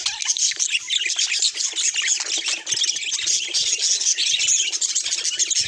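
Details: Constant high-pitched twittering of budgerigars, many rapid chirps and scratchy warbles layered together into a steady bright chatter throughout.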